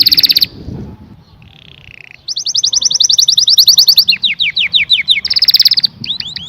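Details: Singing canary: a short bright trill, a quiet pause with soft buzzy notes, then a long fast rolling trill that turns into swooping downward slurred notes and ends with another rapid trill.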